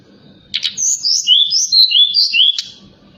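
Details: Forktail at night, a lure song to make other birds respond: a quick sequence of clear whistled notes alternating between higher and lower pitches, bracketed by harsh clicks, over a quiet background hum.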